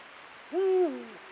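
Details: Eurasian eagle-owl in the mating season under a full moon, part of nightly courtship calling and copulation; a single low, resonant hoot, steady and full, ending in a long downward glide.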